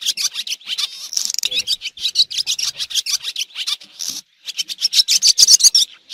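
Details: Swallow calls from a 2023 recording: rapid, scratchy high chirps about 220 per minute, mixed with buzzy trills and a brief silent break near the end.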